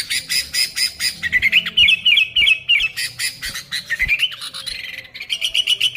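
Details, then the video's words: Noisy sooty-headed bulbuls in full song for luring: a steady stream of raspy pulses, about three per second, overlaid with bubbling whistled phrases that rise and fall. "Suara Burung Kutilang Gacor ASLI Tanpa isian, Ampuh untuk Pikat Kutilang bikin kutilang Ribut gacor"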